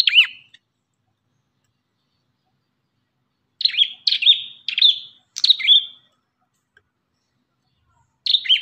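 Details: An Ashy tailorbird song used to train other birds: one hooked chirp, a three-second silence, then four sharp rising notes in quick succession, with another chirp closing the clip.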